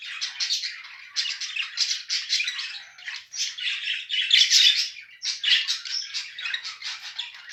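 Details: Budgerigar pair, male and female together, giving a continuous rapid scratchy chatter of clicks, squeaks and buzzy notes, with a couple of brief pauses between runs.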